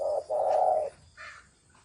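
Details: Brief spotted dove coo in the thổ sấm style: a short low note followed by a longer sustained throaty coo, then a softer higher sound.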